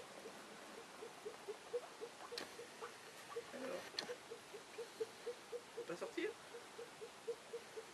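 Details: Female Elliot's pheasant arriving, giving soft low clucks repeated steadily about four times a second for the whole stretch, with a few faint clicks and rustles behind.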